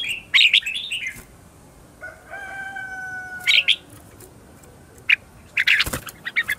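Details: Red-whiskered bulbul morning song for luring wild birds: bright chirped phrases at the start and end, with a long flat whistled tone from another bird in the middle.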